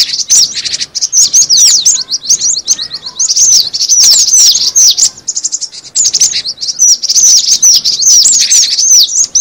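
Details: Cinereous tit lure call: continuous fast chatter of high, sharp chirps and twitters in overlapping runs, only briefly easing between bursts.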